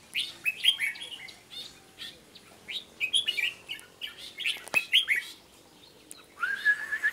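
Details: Red-whiskered bulbul singing a busy series of bouncy, slurred whistled phrases repeated throughout, ending with a slightly lower drawn-out warble.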